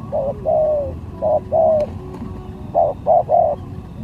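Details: Spotted dove acting as a lure bird in a contest, giving three phrases of soft low coos, each a short note leading into a longer one, over quiet background hum.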